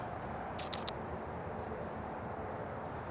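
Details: A quick burst of several camera shutter clicks over a steady low outdoor hum, with no animal call.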